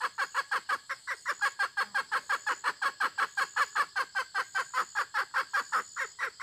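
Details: Dense, continuous hen clucking, close to three notes a second and fairly regular, with no pauses throughout.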